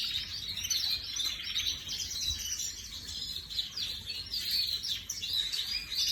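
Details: Canary, an ornamental bird imported in 2024, recorded on 18 May 2025, delivering fast, high-pitched twittering phrases with rising and falling trills in one steady stream, over a soft background hum.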